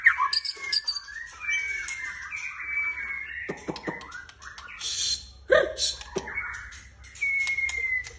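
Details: Captive white-rumped shama in full voice: a sweet descending whistle, scratchy warbled notes, a burst of clicks and harsh chatter, then a clear sustained whistle that slides gently downward.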